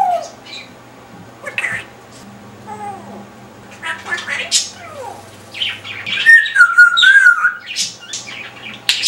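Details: Pet parrot on his perch saying silly things: a mix of harsh, speech-like syllables and short squeaks, then a wavering whistled phrase with loud bursts near the end, over a steady low hum.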